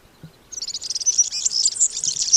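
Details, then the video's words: European Serin singing a rushed, liquid twitter of very high notes that runs on without a break after a short silent start. "C'est un gazouillis précipité et liquide, fait de notes aiguës de tonalité élevée qui s'enchaînent souvent sans discontinuer pendant plusieurs dizaines de secondes."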